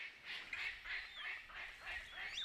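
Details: A palm cockatoo in the remote rainforest woodlands of Cape York Peninsula, Australia, gives a run of harsh, rasping, honk-like calls about one every half second, with a man's voice speaking quietly over them.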